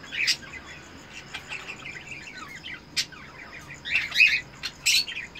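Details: Captive cockatiel breeder pair during mating, red-eyed birds: scattered quick chirps and twittering notes, with brief louder squawks and a clear whistled note toward the end.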